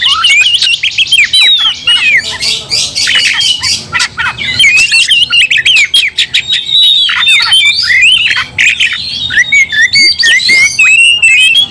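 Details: Several Oriental magpie-robins worked into aggression: a long, dense torrent of loud whistles, trills and mimicked-sounding slurs, punctuated by frequent harsh clicking and rasping bursts.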